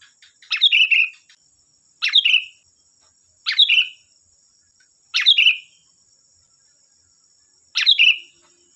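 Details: Sooty-headed bulbul lure song, used to draw other bulbuls into answering: a short bright chirping phrase that slurs downward, repeated five times at roughly one-and-a-half to two-second intervals over a steady high-pitched whine.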